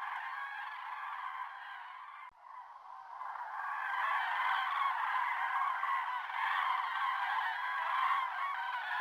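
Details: Large flock of common cranes (Grus grus) at Sotonera Reservoir, Spain, on 5 February 2023, trumpeting together in a dense, continuous chorus of rolling, honking calls that grows louder after a brief dip.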